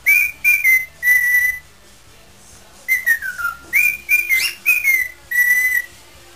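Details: Parrot kept as a pet whistling a tune in an improvisational mood: short held notes, a long downward glide, then a quick sequence of level and wavering whistles.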